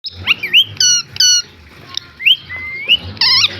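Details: Desi parrot in a village uttering harsh, ringing squawks with rich overtones. Some calls are short and abrupt, others sweep upward or loop, coming in irregular bursts. A low hum sits underneath.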